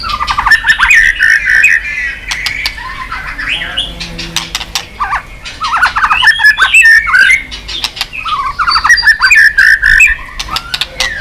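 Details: Stimulated white-rumped shama singing hard while beating its tail. Jumbled warbling whistles and chattering phrases alternate with bursts of sharp dry clicks, mixing fast tumbling notes and brief pauses.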